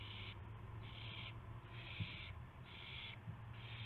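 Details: Owls at daybreak on 26 March 2016 as prey, a gopher and a mouse, is delivered; four or five drawn-out rasping hisses spaced under a second apart, over low rumble.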